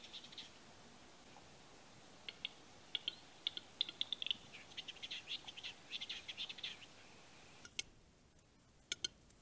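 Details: Male western capercaillie displaying at a lek in Salla, Lapland, Finland, 2021: sharp, dry clicks, first spaced apart then quickening into a rattling run, over a quiet background hiss.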